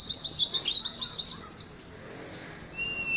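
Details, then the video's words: Oriental white-eye twittering, played to caged birds in a colony: a rapid run of high, downward-slurred chirps that fades after a second, then a few soft notes and a thin whistle. "TERAPI ADU NGALAS SAAT KOLONI PLECI"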